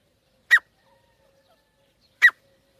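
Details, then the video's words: Two short, sharp partridge notes about 1.7 seconds apart from a pair of teetar, each a clipped harsh burst with clean silence between them. "joddi teetar avaaz sound"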